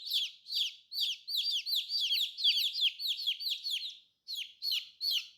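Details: Colorful baby chicks peeping together: rapid high, downward-sliding cheeps that overlap in a busy stream, with a short pause near the end before the chorus resumes.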